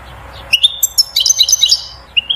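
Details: A European goldfinch sings batbata to urge the female to mate and build a nest. A thin whistled note is followed by rapid, tinkling, high chirps bunched into a lively twittering phrase.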